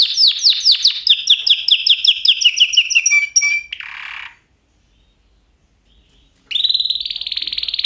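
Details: Canary giving repeated descending swept notes and a quick trill, a short noisy burst, about two seconds of silence, then the song resumes with a buzzy roll.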